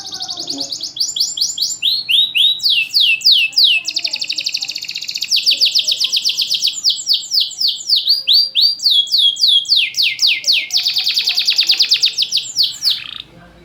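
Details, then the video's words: Caged champion canary with loud, tightly spaced song, used to lure reluctant singers: long rapid rolling trills, repeated high swept notes several per second, and sharp buzzy bursts, sustained without pause. "PANCINGAN KENARI MACET || JEDA RAPET || SUARA LANTANG || SUARA ASLI KENARI JUARA."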